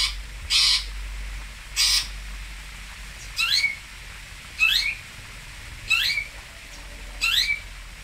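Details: Long-tailed shrike (cendet, toet) from Singosari: two coarse rasping notes, then four shorter, thinner notes with rapidly rising and falling whistled sweeps, spaced a little over a second apart, with steady low hum beneath.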